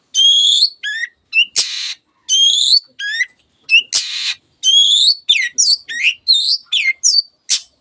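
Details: Long-tailed shrike (cendet) singing energetically to get silent birds singing: bright, quick whistled phrases with downward and upward slurs, interrupted twice by loud, harsh, scratchy bursts, then more varied whistles and a final short rasp.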